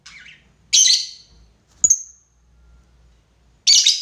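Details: Lovebird calling a rival, a lure recording of long ngekek chatter: harsh, loud squawking bursts high in pitch, one near the start and one at the end, with a short sharp click between and quiet gaps.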